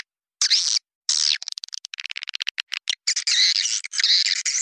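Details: Swiftlet calling sound used to lure swiftlets: two harsh, high buzzy bursts, then a fast run of short clicking chirps, followed by long rasping twitters.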